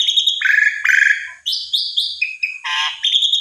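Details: Asian pied starling song, chattering and insistent, aimed at provoking a silent starling; a high note, a buzzy low trill, piping squeaks, then a harsh rasp and a final whistle.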